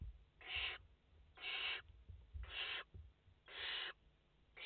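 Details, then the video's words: Nestling barn owls, five in the nest, 29/08/2021, hissing in evenly spaced bursts of about a third of a second, roughly one per second, coarse and wheezy. "Chouettes effraies en direct - Płomykówki - Obecnie w gnieździe 5 piskląt"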